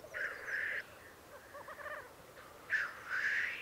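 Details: Black grouse lekking at a lek in the Piedmont Alps, Italy: harsh hissing bursts near the start and end, with a soft bubbling rookooing murmur between them and a steady low hum throughout.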